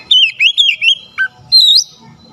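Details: Oriental magpie-robin song aimed at rousing a lazy bird: a rolling string of whistled notes sliding up and down, a lower short note, then a high rising whistle.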